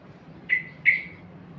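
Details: Sooty-headed bulbul kept in a black cage, giving two short, clear whistled notes about a third of a second apart, each sharply rising then levelling, over a faint low hum.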